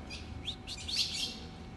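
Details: An ultramarine grosbeak gives a call meant to excite other azulão grosbeaks: a few quick, high, sharp chirps in under two seconds over a low background rumble.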